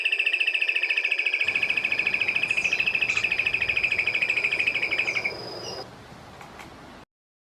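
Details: A Russet-crowned Crake from Brazil gives a long, fast, even trill of high, dry notes that runs steadily for about five seconds, then stops.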